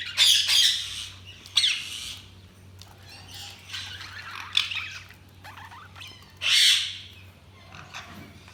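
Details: Budgerigars chirping in bursts of scratchy, high warbling chatter separated by quieter twittering, over a steady low electrical hum.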